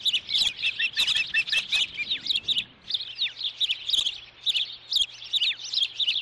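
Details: Ospreys at the Dunrovin nest in Montana on 9 June 2013, as the adult female brings a stick and a young osprey displays dominance over its sibling: rapid, shrill, high chirping calls repeated in excited clusters, with a few falling notes.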